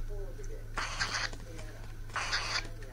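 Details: Pet cockatiel (Nymphicus hollandicus) regressing to baby-like begging gives two harsh, raspy, hissing begging bursts about a second and a half apart over a steady low indoor hum.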